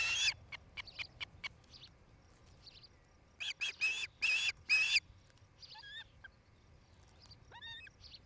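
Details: Osprey at a nest near Charlo, Montana, filmed by a nest camera on 8 July 2018 between five and six in the afternoon; loud clipped chirp bursts in irregular clusters, followed by quieter, slurred whistled notes that bend downward.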